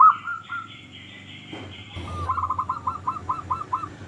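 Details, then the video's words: Zebra dove, local type, singing to lure other zebra doves into song: brief higher drawn-out tones, a pause with faint background noise, then a neat run of eight evenly spaced rolled coos. "Perkutut Lokal Gacor Suara Paling Ampuh Untuk Pancingan Burung Perkutut Agar Bunyi"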